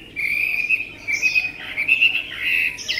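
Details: Tame Chinese hwamei with an admired voice, delivering a continuous warbling song of wavering whistles that rise and fall, with a few sharper high flourishes near the end.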